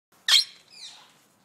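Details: A Palawan peacock-pheasant at Yumemigasaki Zoo, Kanagawa, Japan, gives one loud, harsh, squeaky note, then a fainter, falling, scratchy tail.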